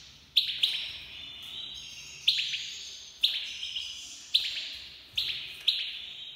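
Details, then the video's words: An Iranian goldfinch, a Himalayan black-headed cross, sings bright, high chirps, often in quick pairs, every second or so, each trailing into a ringing echo as if indoors. "Goldfinch Singing hasoun تغريد الحسون صوت الحسون"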